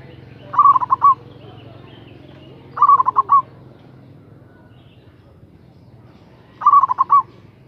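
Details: A zebra dove of local stock, calling to lure a rival, repeats a rapid bubbling coo phrase three times with gaps of two to three seconds. A constant low hum sits beneath.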